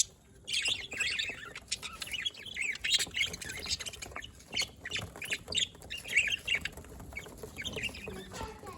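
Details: Pet budgerigars, recorded 27 October 2023 in Larkana, Sindh, chirping in a busy stream of short warbled and squawky notes around the middle and upper pitch, several birds overlapping, with steady faint background hiss.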